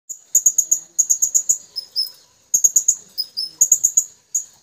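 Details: Blue-crowned hanging parrot, twin birds calling companions: rapid series of very high, thin, sharp chips in bursts of four to six, with brief lower slurred notes between bursts, repeated through the clip.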